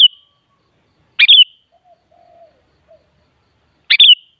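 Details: Short, bright, twittering phrases from a sooty-headed bulbul (kutilang), a sound intended to make other kutilang reply and sing. Phrases repeat close to three seconds apart, with a faint low murmur in the quiet gaps.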